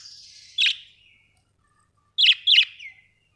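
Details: Budgerigars calling: a fading buzzy trill followed by sharp chirps, then a quick double chirp with a descending tail.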